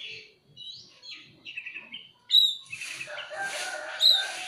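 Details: Oriental magpie-robin song used as a lure to get other birds singing: varied warbled whistles, then loud sharp piercing notes at intervals over a burst of broadband noise.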